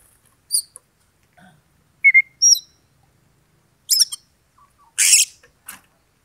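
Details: Oriental magpie-robin (kacer) singing in a combative mood to provoke a rival into fighting. Sparse, scattered notes: high thin chirps, a clear whistle near mid-clip, then a harsh rasping burst. Silent pauses separate the phrases.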